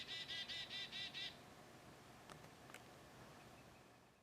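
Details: Black-capped Chickadee call, huskier and slower than the Carolina chickadee's: a quick run of six husky, buzzy dee notes in just over a second, followed by a few faint clicks and quiet outdoor background.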